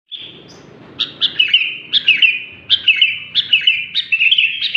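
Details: Sooty-headed bulbul (kutilang) singing actively: a steady whistled note, then bright, sharp chirps in quick clusters that drop into short level whistles, repeated at a lively, uneven pace, with no other clear sounds.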